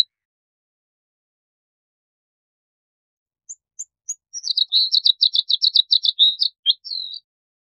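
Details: Bluethroat: after a few seconds of silence, scattered high notes lead into a fast, dense run of sharp, high chirps repeated several times a second, ending in a couple of thinner slurred notes.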